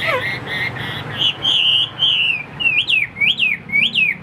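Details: A caged hwamei, described as roughly 85% tame, gives clear whistled notes. A short steady phrase repeats several times, then a long held whistle, then loud rising-and-falling slurs about twice per second.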